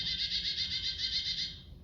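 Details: A chickadee's mobbing call, as given when harassing a screech owl: a fast, harsh, buzzy run of notes pulsing about six times a second, high-pitched and steady, fading at the end.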